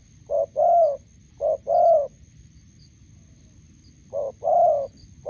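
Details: Spotted doves, a decoy bird meeting a wild bird beside a roadside in Gia Lai, Vietnam; low hollow coos in pairs, a short clipped note then a longer drawn-out one, two pairs close together, a pause, then another pair.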